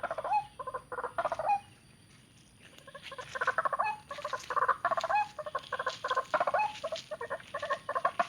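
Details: White-breasted waterhen calling in bursts of quick, clipped, mid-pitched notes, some rising into short whistled slurs, broken by a brief quiet gap near two seconds before the chattering resumes.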